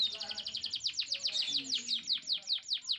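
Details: Canary song intended to stimulate male and female canaries to mate and the female to build a nest: a fast series of high, steeply falling whistled sweeps, about two to three per second, with a faint low hum beneath.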